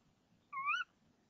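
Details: A female tawny owl in a nest box at 05:28 on 26 March 2014, calling for half a minute before the male arrives with a frog, gives one sharp, slightly rising, nasal call lasting about a third of a second against a quiet background.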